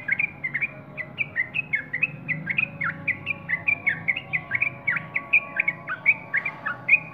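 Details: Sooty-headed bulbul song as a lively run of quick, liquid chirping notes, each a short slurred whistle, repeated about three to four times per second for several seconds, with a constant low rumble beneath.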